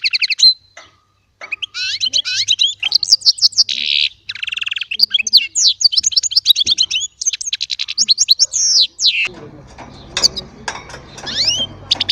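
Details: Small baster singing goldfinch song: lively bursts of rapid twittering, whistles and rasping trills, with a broadband rustling noise under the final few seconds.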